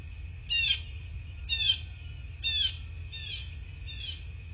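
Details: Bald eagle at its nest in rural southwest Florida, captured by a nest cam at 09:34 on 22 February 2024: a series of four high, squeaky chirps, roughly one per second, fading toward the end, over a constant hum and low-frequency rumble.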